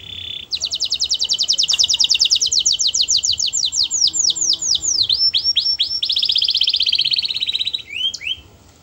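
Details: A canary sings melodiously, its song meant to get other canaries singing. After a thin steady note comes a long rolling trill of rapid high notes, then swooping whistles, a smooth fast roll and two rising slurs.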